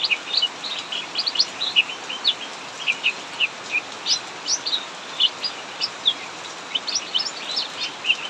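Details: Cucak mini in an aviary sings continuously, ngacor style, through heavy rain, giving rapid rhythmic high chirps, several per second, above the even wash of rainfall.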